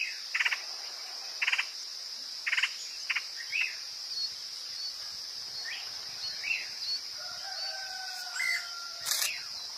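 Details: Lure recording of a woodpecker: short stuttering rattle bursts repeated about once a second, later scattered sharp notes, all over a steady high insect hum.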